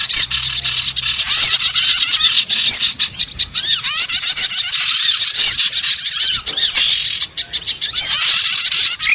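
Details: Small birds, used as a lure call to attract sogon birds, in a dense chorus of high, rapid chirps and twittering whistles overlapping without pause, all thin and bright with almost nothing low.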